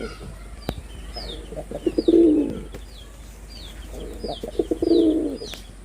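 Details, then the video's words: Male red-bordered wild pigeon in a performance display gives two bursts of deep, throbbing coos, each a run of quick pulses swelling into a rolling note, while small birds chirp in high, thin notes behind. "লাল বডার বুনো কবুতরের অসাধারণ ডাক || Pigeon Sound Effect || Male Pigeon Super Performance"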